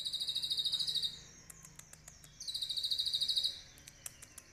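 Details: Captive olive-backed sunbird singing: two bursts of rapid, high, ringing trills about a second long, separated by scattered sharp clicks.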